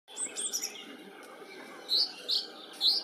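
Song thrush singing bright, high, squeaky notes in short bursts, about one a second, over a faint steady background hiss.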